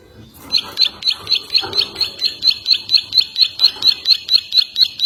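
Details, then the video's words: Ciwah singing as training material for other birds, a steady series of sharp, high chip notes repeated about twice per second for five seconds, evenly spaced and clear. "Masteran ciwah mp3"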